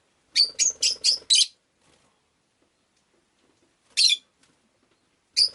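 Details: A rapid run of five shrill, scratchy chirps from a rosy-faced lovebird, then two single chirps spaced well apart after a quiet gap.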